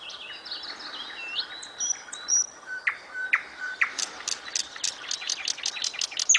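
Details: Singing nightingale: slurred high whistles and short pure notes, then a rapid string of sharp, clicking notes.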